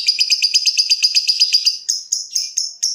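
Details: Lovebird in a rapid, rattling ngekek trill of high, closely spaced pulses for nearly two seconds, slowing into four separate squeaky notes spaced about a quarter-second apart.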